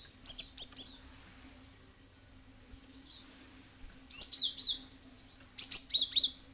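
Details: Cinereous tit (gelatik batu) sound meant as a lure for other birds to answer; paired high chirps at first, then two lively groups of three or four bright, slurred notes later, over a faint low hum.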